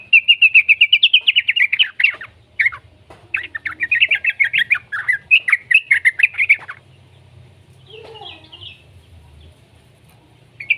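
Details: Young yellow-vented bulbul, its call used as a lure to start other bulbuls singing, delivers long loud runs of rapid buzzy chattering notes, broken by brief gaps, before fading to quieter sounds.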